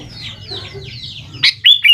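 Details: Sooty-headed bulbul singing as a lure for young birds: loud, bright whistled notes burst out in the second half, after a run of softer, falling chirps and a low background hum.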